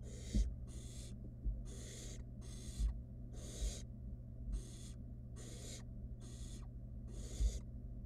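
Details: Barn owl nestling, wild, in a nest box with food from its mother; about eleven harsh snoring hisses in a steady rhythm, with a few dull knocks underneath.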